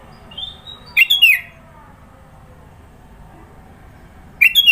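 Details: Sooty-headed bulbul from Sidoarjo, East Java, giving a varied song with many fill notes: a bubbly burst of bright whistled notes near the start, then a quiet pause, then another phrase beginning just as the recording ends.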